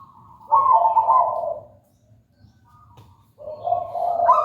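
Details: Zebra dove of local wild stock in full song, giving a rolling, trilled coo phrase that drops from a higher to a lower tone, then a quiet gap before the next phrase starts, with a steady low background hum.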